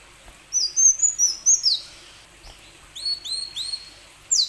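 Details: Plain sunbird song, used as a prompt for other sunbirds: a run of high, slurred, whistled notes, a pause, then a series of short rising-and-falling chirps and a closing downward sweep.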